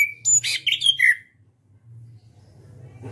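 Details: Song of a caged orange-headed thrush, a national champion contest bird from Indonesia: a rapid tumble of bright whistles, buzzy notes and a descending trill lasting about a second, followed by low hum and quiet.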